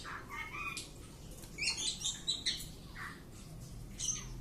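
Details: Oriental magpie-robin kept in a house, tested for courage, sings clear whistled slurs and a cluster of bright high chirps between quieter gaps, with noticeable room noise and low rumble throughout.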